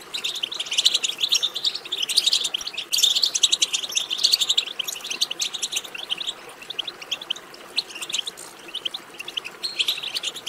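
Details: Continuous European goldfinch twittering meant to stimulate singing: a busy mass of high chattering and tinkling notes, loudest in the first half, then thinning slightly.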